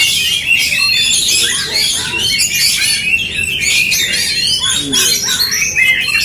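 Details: Aggressive Oriental magpie-robin duel, song used to rouse fighting spirit: a thick, unbroken stream of high, varied whistles, trills and quick chirps, several voices overlapping.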